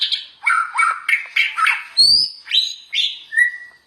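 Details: White-rumped shama singing briskly for training other shamas: a string of short buzzy and whistled phrases about every half second, ending in clear high whistles.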